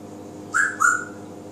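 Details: Pet African grey parrot singing and imitating voices. Two short clear whistled notes: the first rises slightly, and the second is longer and slowly falls. A steady low hum runs underneath.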